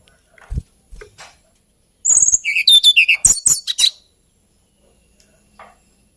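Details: Hill blue flycatcher, or tledekan gunung, found on Java and Kalimantan, giving one brief rapid phrase of high twittering and slurred notes after a few faint knocks, then quiet.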